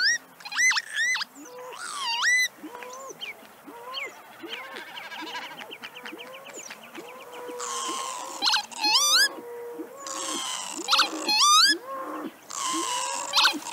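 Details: In Central Russia, a Northern Lapwing gives wheezy, slurred 'pee-wit' calls that rise then drop sharply, in bursts, over a low, steady hooting note repeated about once a second.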